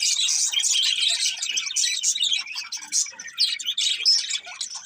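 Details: A budgerigar pair chirping rapidly, squeaky tweets and gurgled warbles tumbling over each other, slightly thinning toward the end.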